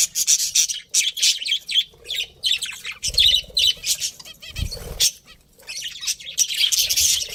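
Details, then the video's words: Budgerigar breeding pair kept as pets, bursts of buzzy squawking chatter separated by brief silences, with occasional low thuds and rustling. "cute budgies chirping sounds"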